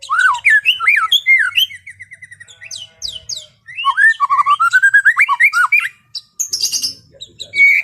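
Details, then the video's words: White-rumped shama in full ngeplong song on a calm afternoon. It gives a rich, varied run of looping, slurred whistles and quick chattering phrases, then a fast string of repeated upslurred notes and a clear whistle to finish. "SUARA MURAI BATU NGEPLONG SANTAI SORE HARI"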